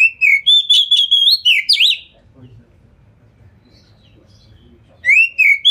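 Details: Oriental magpie-robin delivering a rapid, dense lure song with tail opened, used to provoke other magpie-robins into answering; loud whistled phrase of repeated pure notes and zigzag slurs, a pause of low background noise, then the phrase starting again.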